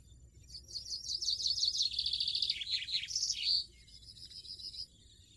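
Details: Wild European goldfinch delivering a bright, fast, jingling song phrase of tumbling chirps and buzzy trills, closing with an accented note and a fading high twitter, with little other sound.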